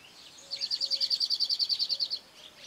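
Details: Cirl bunting (Escrevedeira) singing at Penha Garcia: a dry, rapid rattle of about seventeen identical high notes lasting under two seconds, with a faint steady low tone in the background.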